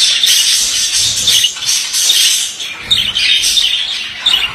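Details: A male budgerigar pours out dense, high chattering song, harsh squawks and rapid chirps blending almost without break, briefly softer in the middle.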